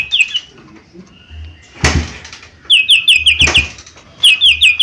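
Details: Cucak ijo mini, a small green leafbird, sings a short slurred note, goes quiet through a thump, then gives two rapid bursts of four to six sharp, down-sweeping whistles.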